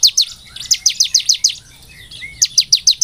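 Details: Bar-winged prinia, called ciblek semi, singing as a training lure: quick high chirps in two runs separated by a short pause, each note sliding downward, with a faint lower whistle in the gap.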